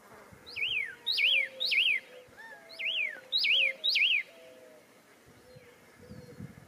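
Pyrrhuloxia giving six sharp, down-slurred whistled notes, each with a quick upward flick, in a loose run over about four seconds; faint background hiss.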